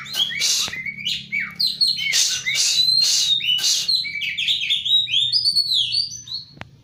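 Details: Loud, energetic Oriental magpie-robin singing meant to restart a bird that has gone quiet: harsh raspy bursts alternating with clear sweeping whistles, then a rapid flowing run of varied notes, with a faint low hum beneath.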